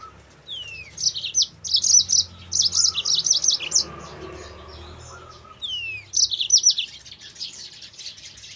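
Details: Training lure of yellow-fronted canary song: downslurred whistles introduce long runs of fast, sharp high chirps, repeated twice with a quieter gap between.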